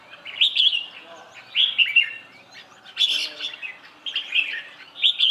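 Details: A red-whiskered bulbul delivers repeated bright, warbling phrases of about a second each, separated by short pauses, roughly one phrase per second.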